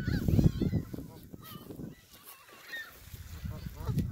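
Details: Canada geese at Hawreluk Park Lake give a few short nasal honks, spaced irregularly, above heavy low-pitched rumble and a brief quieter lull midway.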